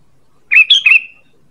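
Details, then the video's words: Lure call of a sooty-headed bulbul, three quick chortling, bubbly notes run together in under half a second, then a thin trailing tail; no other sounds. "Suara PANGGILAN dan pikat ampuh burung KUTILANG"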